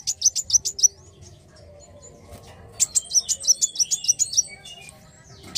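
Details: Black sunbird (kolibri wulung) giving rapid strings of thin, very high chirps, a short run followed by a longer burst of about a dozen notes, with a quiet gap between.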